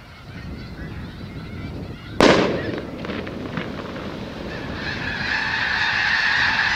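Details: Snow geese on newly sprouted wheat on the Skagit Delta, Washington State, scattered by a cracker shell. A sharp explosive bang comes after two seconds, then a dense, rising din of honking from the thousands-strong flock swells to the end.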